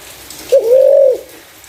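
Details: Spotted dove, whose clear voice serves as a lure for other doves, gives one smooth, sustained coo that starts with a brief hitch and stays level before fading.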